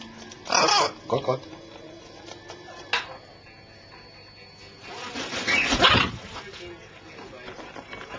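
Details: Pet parrots calling with a grating squawk followed by two shorter ones, a sharp click, then a long, loud, rough screech with several peaks, over a steady low hum.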